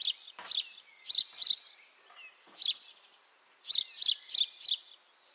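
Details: Irregular house sparrow chirps, a few scattered notes and then a lively run of four, each short and harsh, over a soft background whistle.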